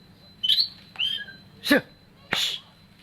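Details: Oriental magpie-robin uttering a few separate notes about half a second apart: a bright whistle, a slurred note and two harsh, buzzy rasps.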